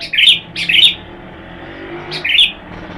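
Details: Sooty-headed bulbul kept for sunning therapy as a lure bird, singing three bright, bubbly warbled phrases in quick succession, the first two close together and the third after a pause, over faint low background hum.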